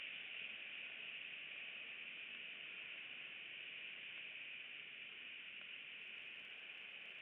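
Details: Steady broad hiss from an eagle nest camera, like rushing water or static, with a few light crackles near the end and no animal voices.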